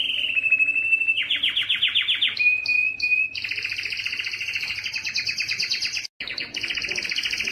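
A canary sings a loud, continuous song of high trills and rolling tours, shifting between fast buzzy rattles and clear whistled notes with hardly a pause.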